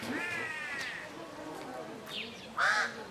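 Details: A female Hemprich's hornbill at Lake Langano, Ethiopia, on 11 January 2015 gives a drawn-out, nasal, slightly falling wail, then a louder harsh note about two seconds later, with a brief thin whistle between.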